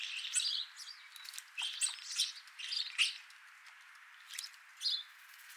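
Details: European starlings visiting for a morning bath give harsh, buzzy chirps and short squeaky notes in bursts every half second to a second, with brief gaps of quiet between phrases.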